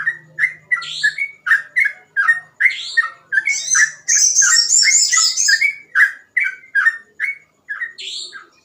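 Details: Sooty-headed bulbul in continuous gacor ropel song, its phrases described as easy to imitate: a steady stream of short whistled notes, about three per second, with a bright, dense, higher twittering burst in the middle.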